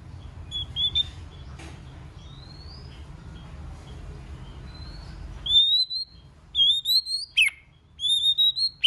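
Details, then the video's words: White-rumped shama singing a many-voiced song meant to rouse other shamas: faint background noise and scattered notes at first, then clear high whistled phrases, each sliding upward, repeated with short pauses. "chòe lửa hót nhiều giọng"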